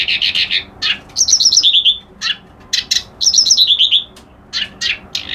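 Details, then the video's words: Loud reed warbler phrases: harsh rasping notes alternate with twice-repeated bright, descending whistled trills, all in a quick, irregular rhythm. "Suara Burung Kerak Basi Alis Putih"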